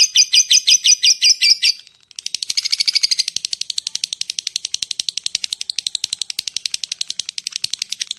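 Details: Lovebird calling to attract others of its kind: a short burst of loud, clipped, high notes, a brief pause, then a long fast ticking 'ngetik' run that becomes softer and thinner.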